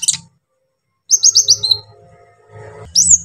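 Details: Brown-throated sunbird singing a coarse filler song meant to rouse the emotions of other sunbirds: a short quick run of five high, sharp chirped notes, with single high chirps before and after and long silent gaps.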